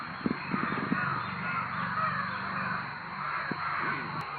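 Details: Many crows gathered and making loud noises, a steady wash of hoarse caws from numerous birds, with low thumps and clatter nearby.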